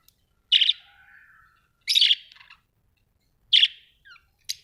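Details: Budgerigars kept as pets at home make loud, raspy, high chirps, three main bursts about one and a half seconds apart, each trailing into softer chatter, ending with a brief sharp note.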